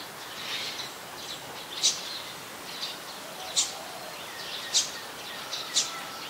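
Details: Olive-backed sunbird from a mangrove forest at the Sirinart Rajini centre; spaced, piercing high ticks roughly every second, heard above a steady hissing background with softer chirps in between.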